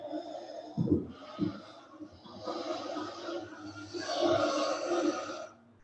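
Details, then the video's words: Northern Flicker nestlings in a tree cavity in a marsh, probably a balsam poplar, begging in a dense, buzzing, rasping chorus after two dull knocks as a person climbs to the cavity. They take him for the adult. The chorus swells about three seconds, then fades. "les jeunes pics flamboyants, eux, ils croient que c'est l'adulte. Ils se préparent à quémander tout simplement."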